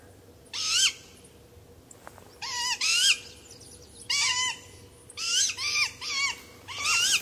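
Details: Two Great Grey Owlets calling to their father for food: about eight harsh, wavering squeals, single or paired, roughly once a second, over a faint steady hum.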